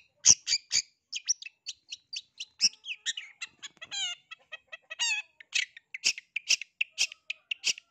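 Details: Long-tailed shrike singing while seeking a rival, a recording said to rouse other shrikes into answering: rapid varied high chirps and harsh notes, with fast rising-falling warbled phrases in the middle.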